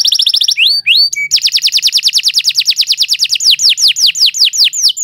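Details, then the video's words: Canary in full, sustained song meant as a model for training young birds: quick buzzy notes, then a long run of rapidly repeated descending whistled sweeps, steady and loud throughout. "Kicau Burung Kenari II GACOR PANJANG"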